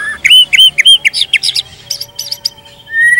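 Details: White-rumped shama, kept as a caged songbird, singing a varied phrase: clear whistled notes near two kilohertz, then quick high chirps and trills, ending in a long rising whistle.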